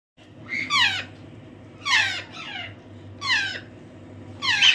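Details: African grey parrot chick, hand-fed and raised for free flight, giving harsh rasping squawks that slide downward, four calls spaced about a second apart over a low steady hum in a small room.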